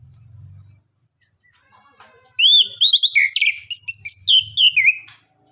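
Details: Orange-headed thrush song played as a lure to get reluctant birds to answer and sing: after about two seconds of faint low hum, a burst of loud, rapid whistled and slurred notes follows, ending in a falling whistle.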